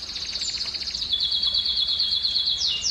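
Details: A canary's breeding-stimulation song: a sustained, very rapid, high trill that steps slightly lower partway through, closing with a couple of quick downward-sliding notes.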